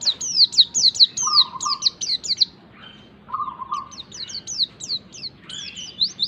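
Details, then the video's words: Lure recording of white-eye (pleci) song meant to make a pleci sing quickly: fast runs of bright, high, down-swept chirps in two main bursts separated by a short pause, with a low droning tone beneath. "pancingan pleci agar cepat ngalas PLECI BAHAN CEPAT BUKA PARUH"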